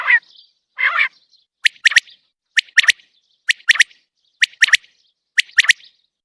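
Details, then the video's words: Common quail (batair) calling outside a cage: two brief buzzy opening bursts, then a crisp three-note phrase of sharp clicky notes, repeated about once a second, five times, against silence. "Batair Ki Awaz | 3 best single Batair Ki Awaz pinjre se bahar | Common Quail Calling without cage"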